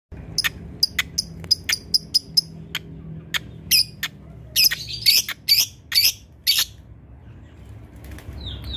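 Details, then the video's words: Lovebird used as a master tutor bird, known for rarely giving its ticking sound, delivering long chatter: sharp high clicks at first, then louder bursts of harsh rasping notes, with a low hum beneath. "love bird yang susah bunyi ngetik , ngekek panjang"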